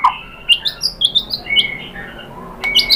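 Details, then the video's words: White-rumped shama song used as a lure to provoke other shamas into singing: scattered clear whistled notes and short rising phrases with sharp chips, interspersed with brief pauses, in a quiet room. "pancingan AMPUH‼️ MURAI BATU ikutan NYAUT GACOR BONGKAR MATERI ¦ PANCINGAN MURAI ¦ SHAMA BIRD"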